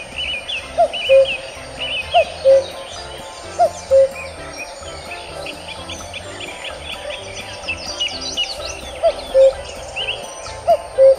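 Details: Asian koel (Eudynamys scolopaceus) from the Indian subcontinent, recorded in a village setting, gives low, mellow two-note calls about every one and a half seconds in short runs over a busy chorus of higher chirping birds.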